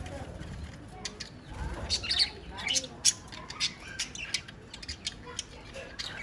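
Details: Budgerigars twitter and click in quick uneven bursts, bright squeaky notes rising above a steady hiss, spaced roughly every half second.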